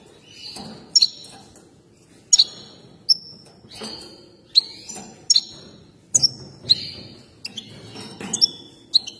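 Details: European goldfinch, excited and dancing, gives short sharp metallic call notes, often doubled, about every second, separated by soft faint twitter against a quiet background.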